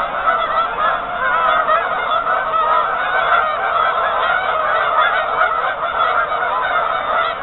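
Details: Lots of geese on a partially frozen lake keep up a loud, sustained wall of overlapping honks with no pauses.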